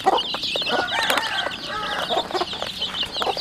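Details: Home-raised chickens, chicks 40 days old, kept in a rural household: a dense, continuous chorus of high, thin peeping notes from many birds, with lower, rounder clucking notes scattered throughout.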